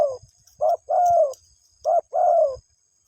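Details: Spotted dove calling its mate: two low coo phrases, each a quick short hoot followed by a smooth, slightly descending longer coo, with faint low background knocks.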